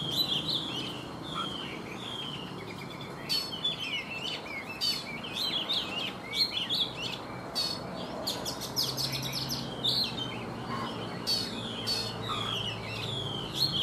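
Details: Oriental magpie-robin, a wild-caught adult kept caged for three seasons, singing in the morning: a continuous run of varied clear whistles, slurred rising and falling notes and sharp chirps, with a faint low rumble beneath.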